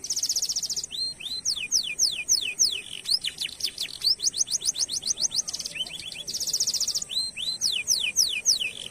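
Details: Lively canary song for stimulating other canaries: dense high trills alternating with long strings of crisp descending whistles, delivered several per second without pause.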